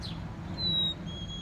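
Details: Black-capped Chickadee, heard but unseen near a pond with mallards and sparrows, giving two pure, clear whistled notes, the second slightly lower, over a steady low outdoor rumble.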